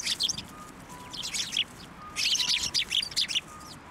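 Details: Sparrows at a Tenmangu shrine, 8 December 2023, flying onto an outstretched hand to be fed; two loud bursts of rapid, bright, high chirping separated by a brief quieter gap.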